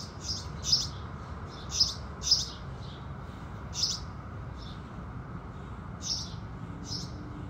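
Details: House sparrows singing at sunrise: short, bright chirps in loose bursts, about eight across the stretch and irregularly spaced, over a low steady rumble of background noise.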